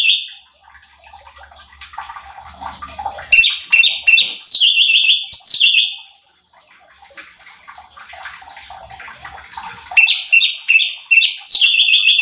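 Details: Cucak cungkok bulbul song for training competition birds: quick descending whistled phrases with a buzzy trill, separated by stretches of rustling, watery background noise and low hum.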